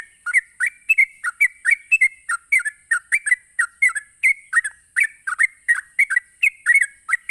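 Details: Sooty-headed bulbul giving its fast 'ropelan' song to goad other bulbuls into singing back: quick, evenly spaced slurred whistles that rise and fall, repeated without pause throughout, with a thin high background hiss.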